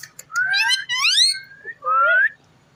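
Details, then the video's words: Ringneck parrot talking: two rising, strongly harmonic vocal phrases run together in the first second and a half, then a shorter rising tonal phrase, with a quiet low hum behind. "Amazing parrot talking funny clips"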